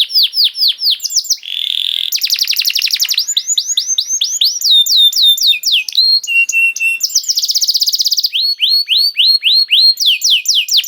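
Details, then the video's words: Canary singing, used as bait to make other canaries sing: varied phrases of repeated downward-sweeping notes, a buzzy hiss, dense rolling trills and flat whistled tones, each phrase switching quickly to the next. "Makes Emotions When Hears the Sound of a Canary One, The Most Powerful Bait || Voice of Canary"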